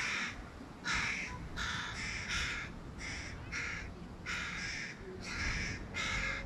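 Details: Young hooded crow fledgling calling insistently from a tree beside its mother as the male parent feeds fish to a sibling; loud raspy caws in quick irregular bursts, some paired, against faint low-pitched background noise.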